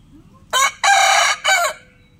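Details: Rooster crowing in the morning, a loud, harsh three-part crow: a short opening note, a long sustained middle note, and a shorter closing note, with little background sound.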